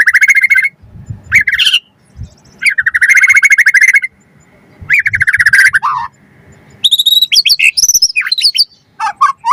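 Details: White-rumped shama song used to provoke other birds into answering: long, buzzy rattling trills in several bursts, broken by pauses, ending with bright whistled phrases and sliding notes.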